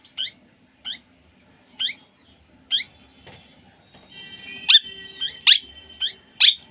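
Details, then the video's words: Parrot giving sharp, high, upward-flicking squeaks, spaced roughly a second apart, then louder and quicker toward the end over a faint tonal background hum. "Parrot sound"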